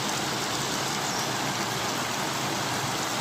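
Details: Only a loud, steady broadband hiss like rain or rushing water, with no animal voice.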